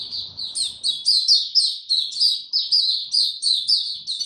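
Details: High, fast warbling song from a caged white-eye in warm, very humid weather, 26 March 2022; bright twittered phrases with downward slurs follow each other about every quarter second without a break.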